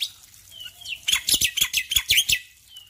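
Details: Male black-winged myna singing in the morning over a soft background of running water: a faint thin whistle, then a rapid burst of harsh, scratchy chattering notes lasting over a second.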